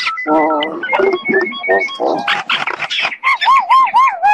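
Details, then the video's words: Talking common myna giving a varied song of harmonic, nasal notes, sharp chirps and harsh bursts, ending in a series of loud, wavering up-and-down whistles. "تغريد طائر المينا الهندي"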